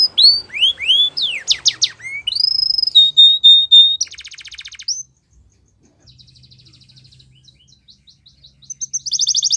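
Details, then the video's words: Belgian canary singing a training song: quick downswept and upswept whistles, a held pure note, then a soft rapid rattle, a near-silent pause and a final bright trill. "Belgian Canary | The Best Canary Training Song"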